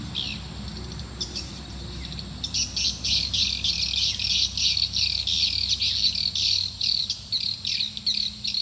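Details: Swiftlet calls used to attract swiftlets to a nest building: dense, rapid high chirps repeated about three times a second, steady and buzzy, beginning after a quieter start with faint low hum underneath.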